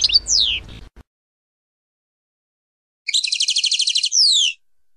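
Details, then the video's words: A European goldfinch sings passades: a brief falling slur, then quiet, then one bright phrase of rapid metallic pulses closing with two long descending slurs. "chant chardonneret │Les passades"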